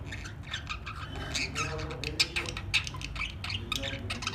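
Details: Budgerigars during successful mating chatter with fast, scratchy squawks and chirps over a steady low hum.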